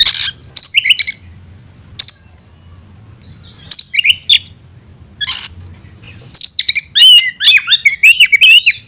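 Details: Oriental magpie-robin singing in the 'tayoraky' song style: bursts of sharp, high whistles and chattering notes, separated by short pauses, with a denser run of slurred, rising and falling whistles at the end.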